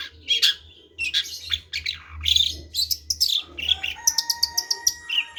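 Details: Long-tailed shrike singing: bursts of harsh, scratchy, buzzy notes in quick clusters, then a run of short sharp chirps with a few drawn-out whistled tones underneath, all fairly loud with a faint low hum.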